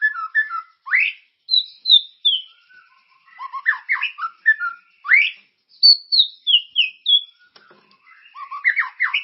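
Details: Lure song of a white-rumped shama to prompt caged birds to sing, continuous and characterful: varied bursts of upslurred whistles, high falling whistled phrases and chattering notes, with short pauses between phrases and no other sounds.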